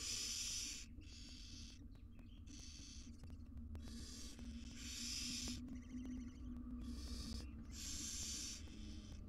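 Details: A barn owl mother grooms her tiny chicks in a monitored wild nest box in Israel; a run of breathy hisses includes a quieter chittering, ticking passage midway, and soft scratching sounds are heard throughout.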